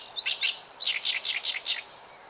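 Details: Meadow bunting (Emberiza cioides) singing by a river with Oriental reed warblers on 29 June 2013: one quick, high phrase of thin whistles and sharp chirps lasting under two seconds.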